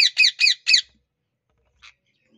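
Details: Parrot uttering four loud, harsh, rasping squawks in quick succession, about one every quarter second, followed by silence and one short, faint final note.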